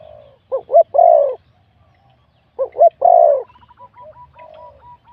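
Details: Wild-born spotted dove scored 87 points in a singing competition, its voice rated middle-to-big. Two full coo phrases about two seconds apart, each two quick notes and a long falling coo, with faint softer calls afterward.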